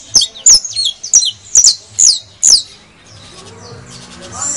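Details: Criollo saffron finch song played to spur other birds into song: clipped, high, falling chirps, several doubled, in a quick run lasting about two and a half seconds, followed by soft rustling and faint distant chirps.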